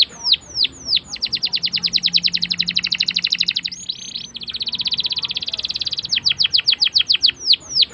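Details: Canary in long rolling song used to lure young canaries into learning to sing; sharp downslurred whistles open into long fast trills of rapidly repeated buzzy notes, a brief pause, another sustained roll, then spaced whistles again.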